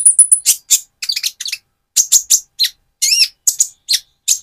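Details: Van Hasselt's sunbird in immature spotted plumage, singing persistently as a lure to rouse another sunbird: a thin high whistle opens, then rapid sharp chirps and upswept notes in quick irregular bursts.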